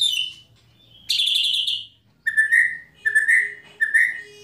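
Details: White-rumped shama with tembakan and kretekan phrases meant to trigger another shama's singing. A buzzy high burst gives way to three short, rising mid-pitched whistles, evenly spaced, over a faint steady tone.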